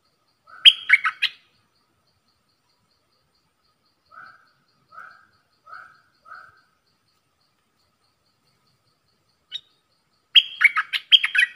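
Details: Caged bulbul dueling in song with wild birds, recorded 3 October 2021: a quick burst of chirpy whistled notes, then four soft, evenly spaced short notes, a single chip, and another lively chirping phrase at the end.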